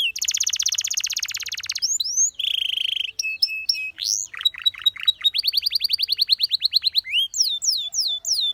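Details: Canary singing for training: a loud rapid rattling trill, a lower buzzy roll, clipped chip notes, a swooping whistle, then a long fast series of ringing sweeps ending in quick upward slurs.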